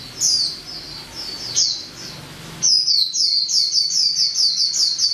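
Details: Female white-eye singing: rapid, high-pitched thin chirps and twittering notes in quick succession, a short burst at first, then a steady run of sharp repeated notes after a brief pause.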